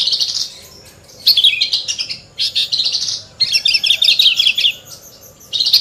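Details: Branjangan, Horsfield's bush lark, in full song: fast, high twittering phrases of varied notes, each burst lasting about a second.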